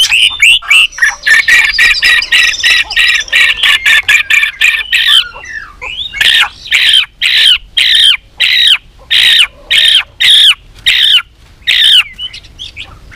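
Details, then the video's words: White-rumped shama in contest singing practice: a fast series of harsh repeated notes that slows into evenly spaced loud scratchy calls about every half second. "chòe lửa hót đấu .luyện chòe lửa căng lửa hót nhiều giọng .chòe lửa đánh đuôi thúc bổi"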